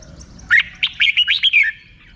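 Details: Red-whiskered bulbul in a brief bright phrase of five or six quick slurred, warbling notes that end in a falling whistle, over faint low background hum.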